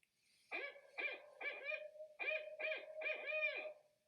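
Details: Barred owl in Portage County gives its rhythmic who-cooks-for-you hoots, a call repeated often: two quick groups of rich, barking notes, each ending in a drawn-out, falling 'all'.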